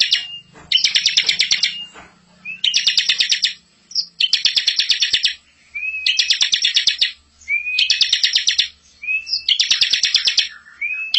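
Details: Energetic rolling master song of a bar-winged prinia, meant for training young birds. A short upslurred whistle precedes each fast, buzzy rattling trill. Six bursts come at fairly even intervals with quiet gaps between them.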